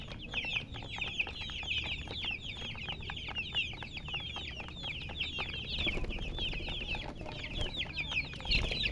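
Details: Colour chickens chirping: many shrill, short descending peeps tumbling over one another in a continuous stream, a few soft knocks and rustles in the background.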